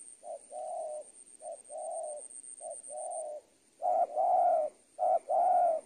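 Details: Spotted dove tutoring audio for training birds: short clipped note then a drawn-out level coo, repeated in pairs; the last two pairs are much louder and fuller, with a thin steady high whine early on.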